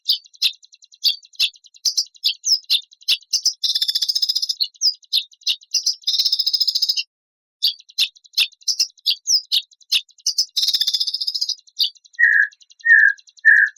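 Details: Compiled 'isian' song of white-rumped shama with rough 'tembakan kasar' shots: dense sharp clicks, short whistles and long harsh buzzing rattles, a brief break, more rattles, then three lower, rounded whistled notes to close.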